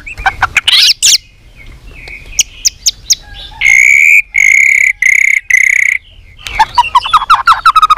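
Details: Contest-trained white-rumped shama, varied singing: chips and whistles, then a series of loud buzzy harmonic notes repeated about twice a second, finished with a quick descending chattering trill.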